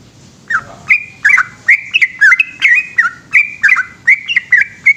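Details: Yellow-vented bulbul in full 'gacor' night song, given as a long 'ropel' run: chattering sequences of whistled, downward-bending notes in quick succession, with a steady low hum underneath.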